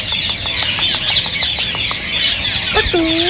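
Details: Green rose-ringed parakeets whose calls are said to stimulate singing and mating: a dense, continuous chorus of shrill screeches and chatter, with a few short ticking notes and, near the end, two drawn-out lower harmonic calls.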